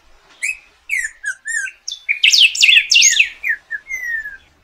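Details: A golden-billed saltator, or picahueso, gives a string of short whistled slurs that swells into a loud, tangled jumble of notes and ends on one long, gently falling whistle.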